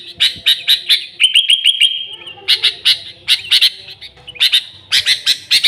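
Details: Energetic sooty-headed bulbul song, a genuine recording free of other birds' songs, played to lure bulbuls: quick chirp series, a short run of rapid whistled notes, then more clusters of sharp chirps.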